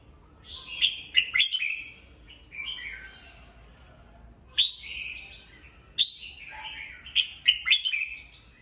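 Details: A caged red-whiskered bulbul sings at dawn, its voice being trained: bursts of rich whistled warbles marked by crisp accented notes, split by short pauses, with a low dip in the last phrase.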